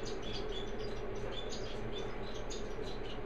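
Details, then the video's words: Orange-breasted waxbills preening and cuddling together; soft, high, short chirps come in quick irregular bursts throughout, set against a steady low hum that dominates the background. "Preening and Cuddling - Orange-Breasted Waxbills"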